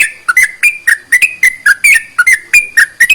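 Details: Whistled sooty-headed bulbul phrases, meant to excite other bulbuls into singing, given as crisp paired notes with a click at each onset, rapidly repeated in a clean, quiet setting.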